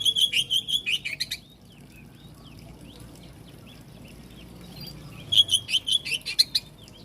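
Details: Oriental magpie-robin singing to provoke other magpie-robins: a fast series of sharp, repeated chirping notes, a lull with faint distant twitters, then another rapid chirping burst.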